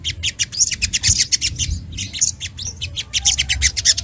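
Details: Sogok ontong sunbird in full agitated song meant to challenge rivals, pouring out quick high chips and buzzy twitters in dense bursts, with short gaps and a faint low rumble underneath.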